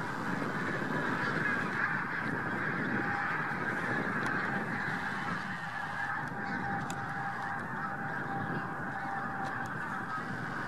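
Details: Bean Geese with a scattering of White-fronted Geese gathered on spring migration at Lubiń near Trzemeszno, Poland, early March 2018; distant, constant murmur of massed honking with a few sharper calls standing out.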